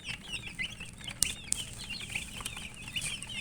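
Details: Feeding chicks give a soft chorus of high peeps, short whistled notes bending up and down, broken by a couple of sharp clicks from pecking.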